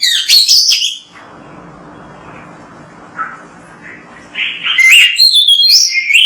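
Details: Oriental magpie-robin (kacer) song recorded to coax other birds into singing: a burst of bright whistles, a hissy gap of about three seconds with faint notes, then renewed varied, rapid whistled phrases.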